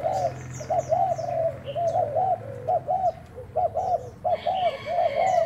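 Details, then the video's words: Spotted dove kept as a decoy bird, recorded on 1 November during a cooing trial: rhythmic series of low, hollow coo notes in quick groups, with thin high chirps from other small birds above. "Mồi trần thái gù thử"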